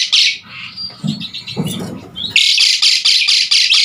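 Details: Asian pied starling singing strongly as a model for training other songbirds. Scratchy chatters and thin whistles come first, then a string of loud, rasping bursts repeated in quick succession.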